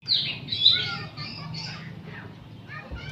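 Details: Oriental magpie-robins, many caged birds singing together in the afternoon as training material; overlapping whistled and scratchy phrases in the opening second, then quieter chattering notes over a low steady hum.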